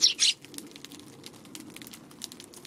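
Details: Eurasian tree sparrows keeping wary of a Godzilla figure set near their feeding spot on a March 16 afternoon; a loud, harsh double chirp opens the clip, then soft ticking and pattering follows.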